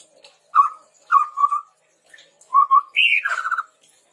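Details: Chestnut-rumped babbler song for bird training: several low wavering whistles, then a higher whistle dropping into a fast trilled note, all clear against silence.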